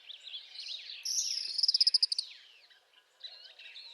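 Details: Northern parula singing in spring: a quick run of about a dozen high, evenly spaced pulsed notes that swells in loudness and then stops abruptly, with softer chirps from other birds before and after.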